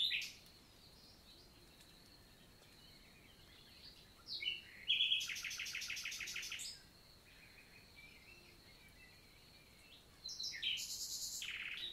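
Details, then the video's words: Summer morning song of a common nightingale in countryside forest, Lot, southern France, on 11 June; a few scattered notes, then a loud rapid buzzy rattle lasting about two seconds, silence, and another harsh burst near the end. "NIGHTINGALE MORNING SONG"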